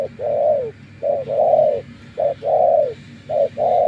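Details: Loud close spotted dove, a decoy bird in trapping, repeats its coo: a quick clipped note, then a long mellow arched note, four phrases in under four seconds over faint low hum.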